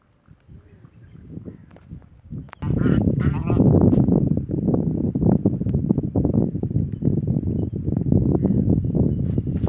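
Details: Ducks kept at a home, calling in harsh, rapid quacks at about three per second. The calls start quietly, then swell into a loud, dense chorus after two seconds and carry on steadily.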